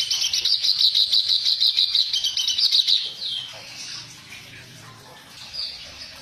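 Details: A fast, even run of harsh, repeated high notes from a reed warbler, roughly three per second for three seconds in the coarse-voiced training style, then fading to faint calls.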